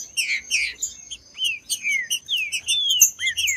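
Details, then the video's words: Green-winged saltator song played to warm up and stimulate caged birds kept for singing tournaments: clear slurred whistles sliding down and up in a flowing phrase, after choppy chirps, over a steady thin high whine and faint low hum. "ESQUENTE SEU TRINCA FERRO MELHOR ESQUENTAR TRINCA FERRO frio TRINCA FERRO CANTANDO"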